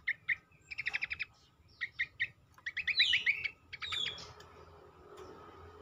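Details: Cingcoang (black-capped babbler) song used as a lure to get other birds singing: bursts of quick, chattering notes in short rapid series, shifting into denser rising twitters toward the end, over quiet background noise.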